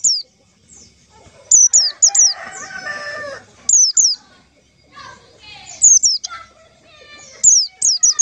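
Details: Pancingan call to draw in white-eyes for trapping: repeated bursts of two or three shrill, descending high notes, with scattered lower bird calls and chatter between bursts.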